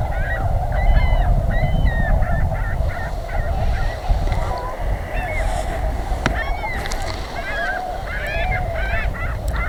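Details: Many Tundra Swans calling during spring migration near Pinery Provincial Park in southwestern Ontario; constant overlapping bugling hoots, some slurred upward, rapid and irregular, with heavy wind noise and a sharp knock.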